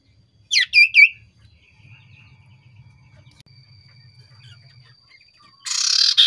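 A common iora gives two quick, bright chirping phrases of falling notes, followed by a faint thin whistle and a brief burst of rough hiss.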